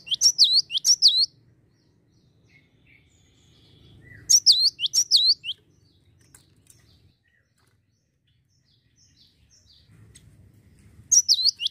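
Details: Lure call of a Java sparrow, meant to make other birds sing readily: three bursts of quick, high, bending chirps about every five seconds, with faint low hum between them.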